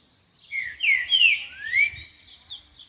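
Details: Double-collared seedeater (coleiro) singing in the wild; a short phrase of sweet slurred whistles, some rising and some falling, climbing higher toward the end, with faint low rumble beneath.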